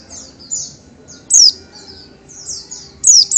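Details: Oriental white-eye (Zosterops palpebrosus), known locally as pleci or kacamata, a small yellowish-green songbird, giving a few scattered high, thin chirps, some sharply falling, separated by short silences.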